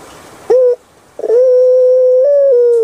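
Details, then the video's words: Puter pelung dove kept in Indonesia: a brief clipped coo, a pause, then a long smooth hoot lasting over a second that steps slightly higher before settling back; some faint background hiss early on. "PUTER PELUNG SUARA EMPUK RASANYA PAS DI HATI"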